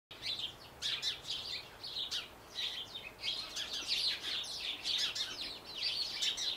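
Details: A Eurasian wren (Troglodytes troglodytes) in a garden gives loud, high, rapid bursts of trills and ticks, repeated with brief pauses, over a faint background hiss.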